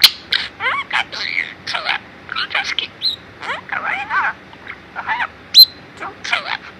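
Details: Four-year-old male budgerigar kept indoors in Mie Prefecture, Japan, talking in Kansai dialect copied from its owners and saying 'chiisakute taihen': rapid, scratchy, warbled speech-like syllables with a sharp squeak near the end.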